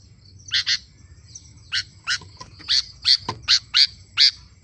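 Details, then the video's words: Sooty-headed bulbul (kutilang) singing actively: bright, short chirped notes in pairs and runs, roughly two to three per second with uneven gaps, over a faint low background hum. "Suara kutilang √ gacorr"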